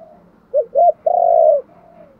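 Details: Luring call of a spotted dove: one brief rising note and a second arched note, then a long, mellow coo held on one pitch. A faint trailing note follows.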